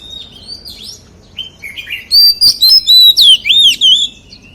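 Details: White-rumped shama in wild-style song, starting with soft scattered chirps, then breaking into a loud fast series of clear whistled notes and looping slurs, about eight strong phrases in quick rhythm.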